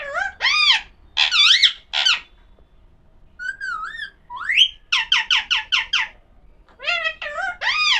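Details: Talking Alexandrine parakeet, locally called pahadi parrot: bursts of rapid, tonal chatter with rising and falling whistled syllables, a lone wavy whistle, then quick rhythmic strings of five or six looping notes.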